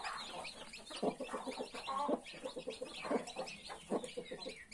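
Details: Mother hen among 31 newborn chicks clucks in quick low bursts, roughly one per second, while many high, arched chick peeps overlap continuously.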